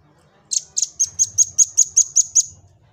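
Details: Velvet-fronted nuthatch song, used as training material to prompt other birds to sing: a fast run of about ten high, piercing notes, evenly spaced and steady in pitch, over a faint low hum.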